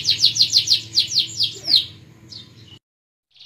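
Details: Canary song: a series of about ten falling chirps repeated roughly every fifth of a second, trailing off into silence with one brief last note.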